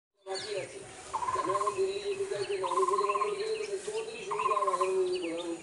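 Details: Male coppersmith barbet calling to his partner in short bursts of mid-pitched, knocking notes, with a low hum and chirps from other small birds behind.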